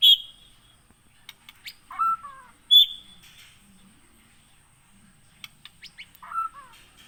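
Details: White-rumped shama from Aih Ilang in Pining, Gunung Leuser area of Aceh, taken from the wild in 2017 and now kept on a farm, singing sparse whistled phrases of high ringing notes and lower slurred notes separated by soft clicks and pauses.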